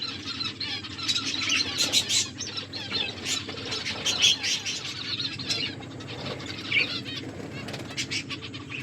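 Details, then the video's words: Finches eating, with scattered high chirps mixed with sharp clicking and pecking sounds spread through the clip over a low background hum. "My beautiful finches eating and enjoying finches chirping sounds"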